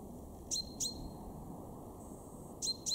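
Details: Two pairs of loud, crisp 'pink' notes from a male chaffinch, garden bird at Weener in East Frisia, Germany, March 2023, each note a sharp falling chip with a brief ringing tail, the pairs two seconds apart.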